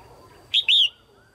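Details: Single call of a female red-whiskered bulbul, meant to stimulate males or for pairing: a brief bright whistle, then a drawn-out whistled note that falls away.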